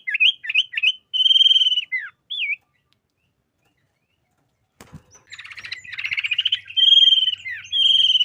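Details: Sooty-headed bulbul singing lively 'gacor isian' song, meant as a tutor recording for caged birds. Looping whistles and buzzy trills, a pause broken by a sharp knock, then rapid chattering with drawn-out trilled notes and low hum.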